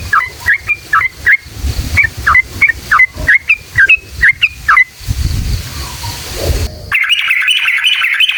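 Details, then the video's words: Sooty-headed bulbul giving its long rapid wild-style song, used to provoke rival bulbuls into singing. A quick series of sharp whistled notes lasts about five seconds, then a pause of low noise, then a burst of dense chattering. "SUARA trucukan gacor JITU NGALAS ROPEL PANJANG buat PANCINGAN agar burung trucuk gacor EMOSI"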